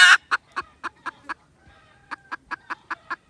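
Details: Junglefowl recorded 16 December 2021, giving sharp, clipped clucks repeated about every quarter second in two runs separated by a short pause; a loud harsh burst opens the sequence.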